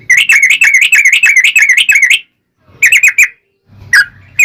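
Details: Yellow-vented bulbul in long ropel song, played as a lure so other bulbuls answer: a sustained fast rolling chatter of bubbly notes, then a short burst and a final note.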